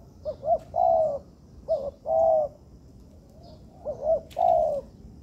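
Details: Spotted dove kept as a training bird in a man-made yard. Low coo phrases of two quick soft notes and a long mellow note come three times, with a sharp click near the end.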